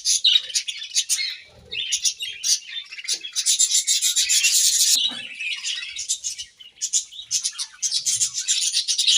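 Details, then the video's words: Budgerigars chirping while eating grass, with rapid, rasping twitter in uneven bursts, a long dense run of chatter in the middle, and choppy quick notes after it. "Beautiful Budgies Grass Eating Chirping Sounds"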